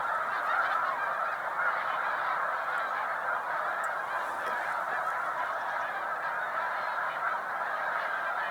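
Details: Large flocks of Snow Geese resting on Cayuga Lake, New York, during spring migration on 20 March 2021; a dense, continuous chorus of honking calls from many birds, steady and overlapping throughout.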